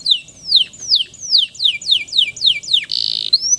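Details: Singing male canary used as therapy for stressed canaries that stopped singing: evenly spaced falling whistles, a harsh buzzy note, then a rising whistle.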